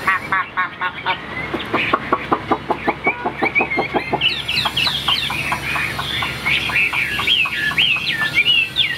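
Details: Caged tamed Chinese hwamei singing: a fast series of sharp repeated chipping notes for about four seconds, then warbled, looping whistled phrases that rise and fall.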